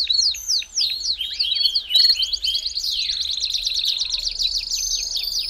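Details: Belgian canary song for warming up a canary: several brisk falling whistled notes, then from midway a long, even, fast high roll.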